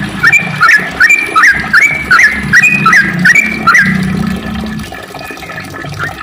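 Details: Sooty-headed bulbul singing a long rapid 'ropel' song: bubbling, whistled two-note phrases rising and dropping, repeated about every half second, with a low rumbling background.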